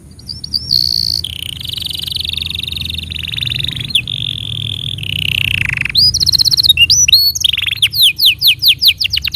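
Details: Canary tutor song for young canaries and those that stopped singing: clear whistled opening notes lead into long rolling trills, a falling slide, then a run of rapid sweeping chips repeated several times a second.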